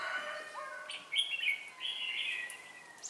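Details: Red-whiskered bulbul singing at a trapping site with a slide trap, 4 December 2016; a lively run of clear, slurred whistles that rise and fall, with softer lower notes at the start.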